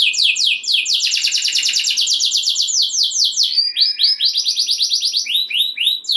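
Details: Energetic canary rolling song intended to provoke rival canaries into singing, moving from quick descending sweeps into a long ringing trill, then varied looping slurred notes.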